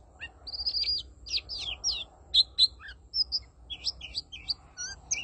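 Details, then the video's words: Oriental magpie-robin singing a 'than mồi' style song nonstop, 'like a machine': quick varied whistled phrases, sharp rising and falling notes and short trills in close succession, with a faint low rumble underneath. "Chích Choè Than Mồi Hót Như Cái Máy"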